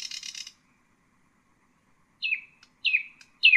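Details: Nightingale intended as a model for young birds: a short dry buzzy rattle, a pause, then three loud descending whistled notes.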